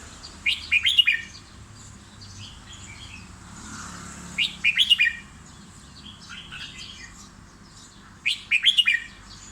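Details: Caged red-whiskered bulbul repeats a short, bright whistled phrase roughly every four seconds, each a quick cluster of rising and falling notes, with soft chirps from other birds between phrases.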